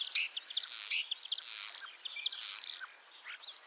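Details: Springtime song of a ringed common starling at Liepāja, Latvia; long, drawn-out high whistles alternating with scratchy, buzzy bursts and brief chirps, phrases separated by short gaps.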